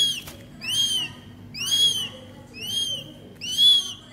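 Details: Young northern goshawk kept in captivity calls while being fed: four shrill, arched whistles spaced about a second apart, each rich in harmonics, over a low background hum.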